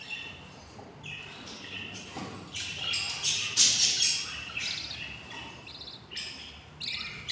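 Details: Six hungry budgerigar chicks in their nest, twenty days old, beg with rapid, scratchy chirps repeated about three times a second. The calls build to a noisy climax in the middle before thinning out.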